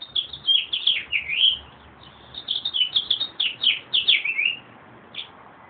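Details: Meadowlark recorded on a phone, singing bubbly clusters of clear whistled notes that slur downward, two phrases separated by a pause, with a single note after, over faint low background rumble.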